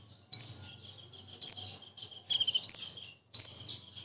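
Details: A common iora imitates a kingfisher. Four loud, rising whistled notes come about once a second, one preceded by a quick rattling run of short notes. A faint low hum sits underneath.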